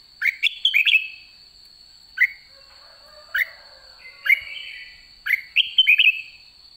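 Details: Red-whiskered bulbul with white cheeks, late in the season, in ché song: short bursts of clear, upslurred whistles separated by pauses of one to two seconds, with a constant thin high tone behind.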